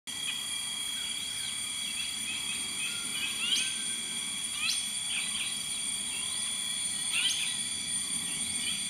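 Finsch's bulbul gives short, sharp chirping notes every second or so, with a few louder bursts, over a steady high insect drone.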